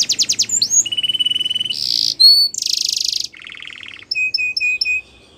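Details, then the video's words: Yellow canary singing a training song in quick-changing tours: rapid clicks, then a flat sustained trill, a buzzy burst, short high whistles, a lower rattling roll and spaced piping notes. "Yellow Canary Singing | The Best Canary Training Song"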